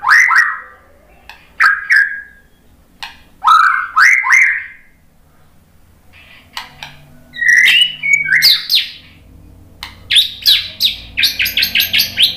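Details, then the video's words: Murai batu, the white-rumped shama, answering a lure recording: deep fluty whistled notes spaced apart, then livelier warbled phrases and a closing run of rapid high chips. "biar BUNYI ‼️ MURAI BATU jadi kepancing NYAUT ikut GACOR ¦ PANCINGAN MURAI ¦ SHAMA BIRD"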